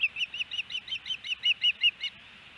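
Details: Osprey at a Hellgate Canyon nest in Missoula, Montana, on June 8, 2018, where the male is feeding chicks. About ten clear, whistled chirps come in a fast, even series and then stop, leaving only a faint hiss.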